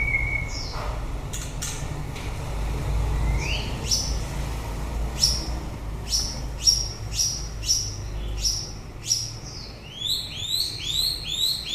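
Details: White-rumped shama singing at the end of the breeding season: a varied string of clear whistles, with rising sweeps and sharp high notes, ending in a quick run of short upslurred notes, over a steady low rumble.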